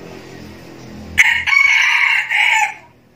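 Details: Red junglefowl rooster giving a decoy crow used to lure wild roosters: a loud, harsh, broken crow in several segments, rising then held and fading, after a rumbling noisy start.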